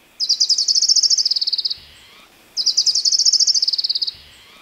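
An Orange-crowned Warbler sings two high, rapid trills, each about a second and a half long, holding nearly one pitch before trailing off slightly at the end.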